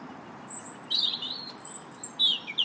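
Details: A robin singing in a park on March 2nd gives short, thin phrases that jump between very high, sibilant notes and lower, warbled trills, with brief pauses between them.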